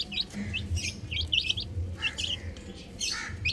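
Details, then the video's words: Scattered high chirps from chicks on a roof, short peeps in small groups separated by brief gaps, over a low rumbling background. "Adorable Chicks Chirping Sounds"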